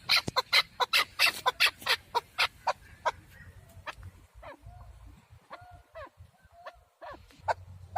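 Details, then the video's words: Male partridge recorded for hunting: a burst of loud, rapid, harsh clucks fades after three seconds into faint, scattered softer calls, followed by one final loud note. "Овози кабки шикори Keklik avi Partridge صوت ذكر الحجل للصيد اواز کبک"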